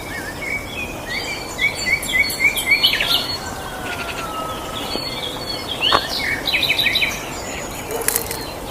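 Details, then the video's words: Birds singing in a garden: several high, bright chirps and short twittering phrases overlap, some notes repeated quickly in series, over a steady background hiss of environmental noise. "Peaceful Garden with Birds Singing"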